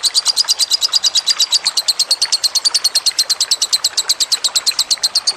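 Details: Loud, fast lovebird chattering in a training recording with trickling water: around 38 bright, sharp chirps packed at nearly seven per second, continuous and insistent.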